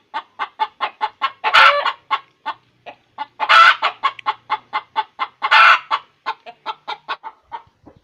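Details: Hen's cackle while laying an egg, a string of clipped clucks speeding and slowing, with three long, loud, raspy squawks spaced about two seconds apart.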